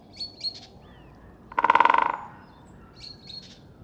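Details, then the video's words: A great spotted woodpecker drums on oak in a single rapid burst of about fifteen sharp strikes that fade toward the end. High, thin chirps from other birds come before and after. Recorded on a Rode NTG-3 with a Zoom H6. "Большой пёстрый дятел барабанит/Great spotted woodpecker drumming"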